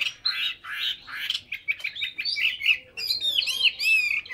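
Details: Hwamei in full song, mixing hoarse, buzzy phrases with quick chirps, then a bright sequence of high, arching, slurred whistles.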